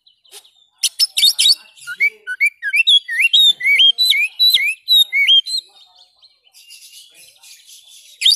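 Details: Oriental magpie-robin (kacer) song used to restart a bird that has gone quiet: sharp opening chips, then a steady run of upslurred and hooked whistles about twice a second, then softer chatter.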